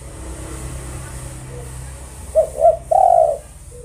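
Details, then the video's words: Spotted dove, locally called tekukur, gives one phrase near the end: two quick hooting notes followed by a sustained coo, after a stretch of faint background rumble. "Merinding Mendengin Suara TEKUKUR Suaranya Sangat MERDU"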